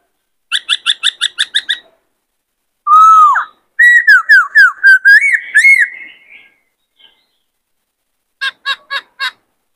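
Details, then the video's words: Male White-cheeked laughingthrush in peak singing condition, singing and dancing a varied, many-voiced song used to train young birds. A quick run of short repeated notes, then loud slurred whistles rising and falling, then another burst of short notes, over a quiet background. "Khướu bạc má hót nhiều giọng hay Luyện khướu bổi kích khướu trống căng lửa hót múa"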